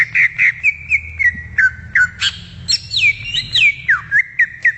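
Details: Greater green leafbird singing in the wild, repeating quick looping whistles nearly four per second, some notes sweeping sharply down then up, over a faint low hum.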